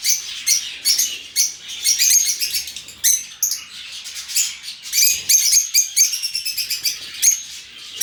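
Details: Open-aviary lovebirds calling together: dense, overlapping, piercing chirps and squeaks in irregular bursts, all high and shrill, with no other sounds.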